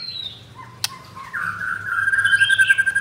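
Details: Ringed captive white-rumped shama in Jakarta, Indonesia, singing in 'pastol blorok' style: a soft falling note, a sharp click, then a long, strengthening steady whistle with a quick warble above it, over a low hum.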